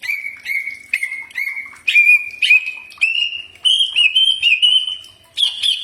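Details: Common iora (cak ijo) in a training recording: a long, steady series of sharp, rapidly repeated whistled notes, rising slightly in pitch across several seconds, with short breaks between runs.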